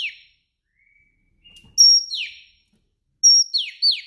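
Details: Afternoon calls of a female Oriental magpie-robin, meant to stir males into singing: thin level whistles and brief faint notes, then two bursts of high whistles sliding into rasping downward sweeps, the last burst doubled.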